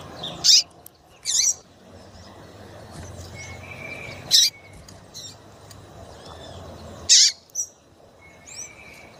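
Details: Chirping female double-collared seedeater, used to stir males to sing; loud high chirps come in pairs, separated by pauses of several seconds, with faint thin whistles in the background.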